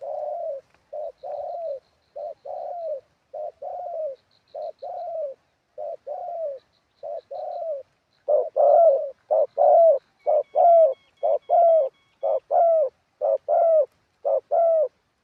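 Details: Two spotted doves, one a ground decoy singing in a wild style. A fainter bird gives steady paired coos, then a louder one takes over with rapid short-long hooting coos about once a second for the rest of the stretch.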